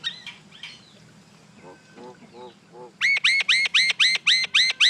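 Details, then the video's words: Common myna (Acridotheres tristis) giving a loud run of eight harsh, arched chattering notes at a steady quick pace, preceded by softer croaking and gurgling notes. "Mynah Bird Acridotheres tristis, Little Mynah Bird making Noise"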